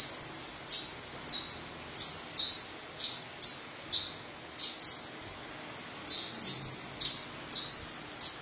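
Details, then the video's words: Van Hasselt's sunbird with red breast, singing energetically: a long series of shrill, high, downslurred notes, some doubled in quick pairs, shifting between two pitch levels with a brief lull midway; soft steady hiss in background. "Kolibri Ninja Dada Merah Gacor"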